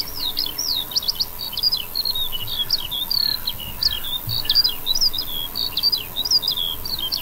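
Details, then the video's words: Eurasian skylark singing beside a wheat field, a continuous high rapid stream of chirps, trills and twittering slurred notes over steady low background hiss. "a skylark can be heard"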